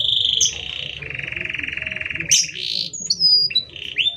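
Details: Canary in full song, used as a master recording to train or provoke other canaries: long steady buzzy trill, then sharp rising whistles and high slurred notes, over a low background rumble.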